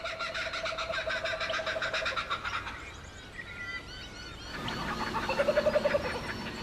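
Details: Laughing kookaburras cackle at sunrise in an Australian eucalyptus forest, a raucous, rapidly repeated chorus rising and falling with hooting, rollicking notes that swell again toward the end.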